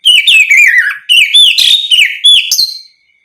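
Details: Oriental magpie-robin in open song meant to provoke other magpie-robins: three linked phrases of clear, slurred whistles, the first gliding steadily downward, the others rising and twisting, lasting nearly three seconds.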